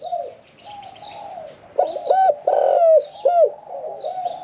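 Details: Spotted dove kept caged, singing 'khan yon 1 kuk' with a medium voice: soft coos building into loud, clear hoots and one long sustained note, with high twittering birds in the background.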